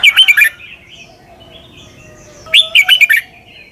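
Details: Red-whiskered bulbul in Thailand, doubled southern master-style song used to teach young birds. A short burst of quick, bright warbled notes, a pause of two seconds, then another chirpy fluting phrase of rapid syllables.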